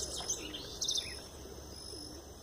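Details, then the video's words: A Double-collared seedeater, coming out of moult but already in good form, sings pure "Tui Tui" song: two quick bursts of high, bright chirped notes about half a second apart over a steady background hiss. "Papa-capim Tui Tui puro"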